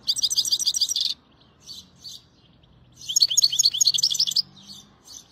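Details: Goldfinch song in quick tinkling trills, one burst at the start and a longer twittering phrase midway, separated by a few soft isolated chirps.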